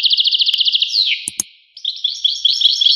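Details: European goldfinch song: a fast series of bright, even twittering notes, then a falling slur and a pause, followed by tinkling, rapidly repeated high notes.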